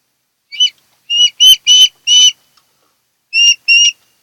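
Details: Nesting osprey pair on Kent Island, Maryland, Chesapeake nest camera, 10 August 2018: a rapid series of piercing whistled chips, some harsh and scratchy, then a pause and two clear whistles, alongside a brief clatter.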